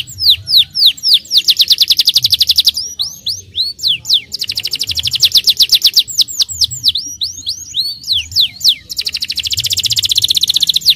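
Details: Lively Starblue canary song meant to stimulate young canaries: dense rolling trills broken by quick chains of swooping, hooked whistles, many notes per second, loud and continuous throughout.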